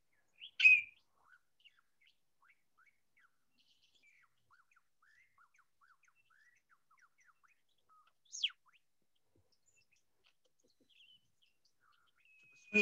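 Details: A male Superb Lyrebird in Australian forest, mimicking the songs of surrounding birds in his cleared display space, gives three loud, sharp whip-like notes dropping steeply in pitch, several seconds apart. Soft, scattered high chirps and twitters fill the gaps.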